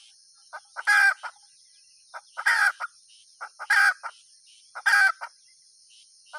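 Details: A hen gives four rasping squawks spaced about one to one and a half seconds apart, each framed by quick clipped clucks, over a constant thin electronic-sounding whine.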